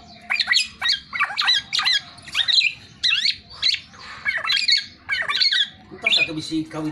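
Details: Black-naped oriole in lively song: rapid, squawky notes that slur sharply downward, repeated in bursts about every half second. A faint low hum runs beneath.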